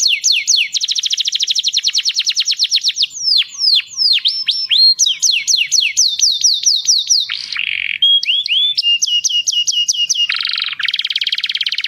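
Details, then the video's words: Canary singing intensely to excite females for breeding: fast rolling trills of repeated high notes, downward-sweeping whistled phrases, short buzzy segments and a closing rapid trill, continuous and loud with no other sounds. "أقوى تغريد كناري 🔥🔥 O twitter canário mais forte"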